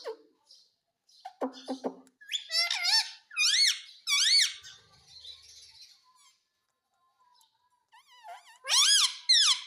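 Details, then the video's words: Talking pet parrot indoors repeating "mummy" (mami): a run of shrill, rising-falling harmonic squeaks in quick sequence, with soft clicks early, a quiet pause, then another loud squeaky burst at the end. "Talking parrot - mummy bolne wala tota"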